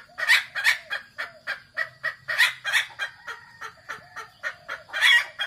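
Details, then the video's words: Red junglefowl, local name kasintu, calling as a lure to draw wild birds: fast, irregular series of harsh clucking notes, several louder bursts, accompanied by a continuous faint high-pitched tone. "suara pancingan ayam hutan ORI KASINTU"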